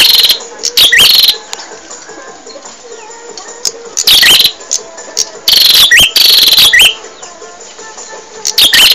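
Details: Prenjak (bar-winged prinia) song from a caged-bird training recording: strident buzzing bursts in irregular clusters, with faint whistled slurs inside some, and quiet stretches between.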